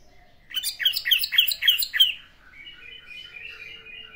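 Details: Orange-headed thrush, classic singing style: a run of five loud, clear, downslurred whistles repeated in quick succession, then a soft, buzzy, wavering trill trailing away.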